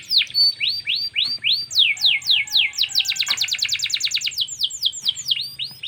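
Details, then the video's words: Canary singing, a comparison of panda and yellow canaries: a loud run of rising upswept whistles, then a fast rolling trill of rapid repeated notes, ending in more upslurred whistles, with a faint low hum behind. "kenari panda vs kenari kuning"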